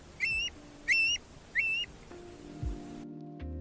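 Long-billed Curlew giving three clear, rising whistled calls in quick succession, each about a third of a second, followed by a faint low musical hum.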